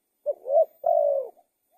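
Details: Single cooing phrase of a spotted dove: a short low note, a smoothly rising swelling coo, then a longer steady coo that fades out. A faint soft note follows at the end.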